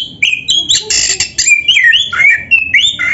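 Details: Oriental magpie-robin (kacer) in full 'gacor' song packed with 'isian' fill-ins: a dense run of clear, slurred whistles and short harsh notes, rising and falling high in pitch with almost no pause.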